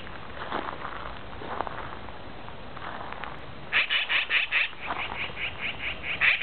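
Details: Magpies calling loudly in a valley while eating a prairie dog: after a noisy stretch with faint sounds, a rapid series of harsh, rasping notes repeats about twice a second and grows louder toward the end.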